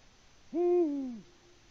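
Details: Male Eurasian eagle-owl in Latvia on a live nest camera, hooting for a mate with no female answering, evening of 6 March 2019: a single deep, rich hoot lasting under a second, swelling then falling away at the end.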